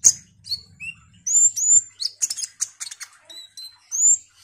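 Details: Olive-backed sunbird in energetic song: sliding high whistles, a cluster of harsh buzzy trill bursts, then short piping notes and a final drawn-out rising whistle.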